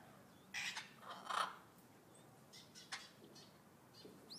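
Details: Vulturine guineafowl at Yumemigasaki Zoo, Kawasaki, Japan, giving two harsh, scratchy bursts of call in quick succession, then a few fainter rasping notes over a steady background hiss.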